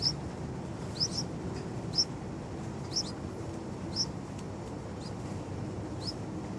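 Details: Young Yellow-vented Bulbul nestlings give sharp, high chirps about once a second, some doubled, fainter than the low rumbling background noise.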